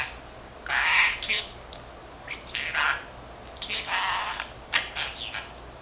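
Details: A 13-month-old male pet budgerigar chattering away to himself, a bird taught words in Korean and Japanese; raspy, speech-like bursts come in several uneven phrases with short pauses between them, indoors in a quiet room.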